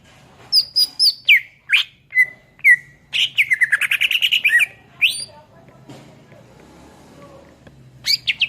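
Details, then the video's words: Greater green leafbird (cucak ijo), a vigorously singing bird kept as a tutor recording for songbirds: quick varied whistles and sweeping slurred notes, then a fast buzzy rattling trill, a quiet pause and a final burst of high chirps. "SUARA MASTERAN CUCAK IJO GACOR"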